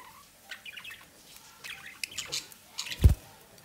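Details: Domestic budgerigar parents feeding a chick at the nest entrance; scattered thin chirps and raspy chatter build up, then a loud low thump near the end among quieter rustles.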